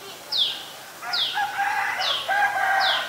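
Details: Adult Common Tailorbird at Ubon Ratchathani, Thailand, 11 April 2022: four high, sweeping falling notes roughly 0.8 seconds apart, overlapping busy mid-pitched song from another bird.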